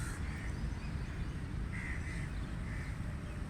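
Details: Three hoarse crow caws, the middle one a quick double, rising briefly above a heavy low-pitched background rumble.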